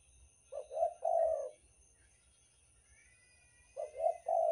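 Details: Spotted dove of the Banten type, a lure recording used to draw in other doves. Soft, low cooing phrases of several rolling notes: one near the start, another starting near the end. A steady faint high hiss and a low hum run throughout.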